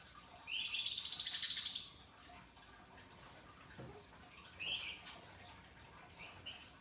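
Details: A flamboyan bird, in fine voice, delivers a single loud rattling trill of rapid, raspy pulses about a second long, followed by quiet, scattered high chirps.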